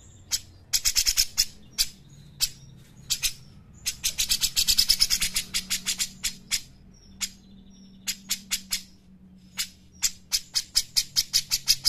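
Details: Grey-cheeked bulbul (cucak jenggot) in a lure and tutor recording for training other birds. It gives fast bursts of harsh, broadband chattering notes in rapid runs with short pauses, and faint thin whistles come through between the bursts.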